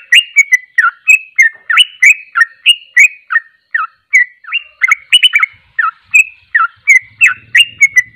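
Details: Sooty-headed bulbul (trucuk) in continuous ropel-style song, a long chain of quick whistled slurs at about three notes per second, with a faint low rumble coming in near the end.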